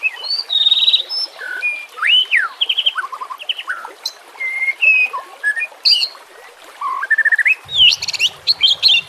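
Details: White-rumped shama song for training and luring other shamas, with nature sounds: clear whistled phrases sweeping up and down, bright slurs and short rapid notes, with brief pauses between phrases.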